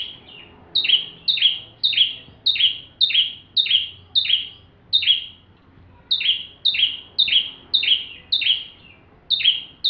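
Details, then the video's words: Full song of a bar-winged prinia used as a tutor song for magpie-robins: steady runs of high, sharp notes each trailing into a buzzy fall, about two per second, with a short gap midway. "Burung ciblek tamu fulll gacor cocok untuk masteran murai batu"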